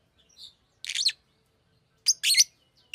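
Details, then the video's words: Fischer's lovebird giving a few shrill, harsh chirps: a faint high note, then a rasping burst near one second and a double burst near two seconds, with quiet gaps between. "Fisher LoveBird Makes AMAZING Sounds!"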